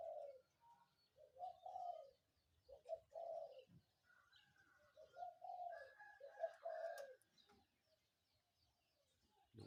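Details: A spotted dove coos in the morning, its low phrases of clipped notes and longer falling coos repeating, heard against steady background noise and higher whistled sounds.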